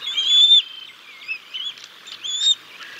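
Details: Bald eagle feeding chicks fish at the Decorah North nest on 6 May 2022, before the mother takes over: a high whistled note, then softer dipping chirps, and another rising whistle near the end.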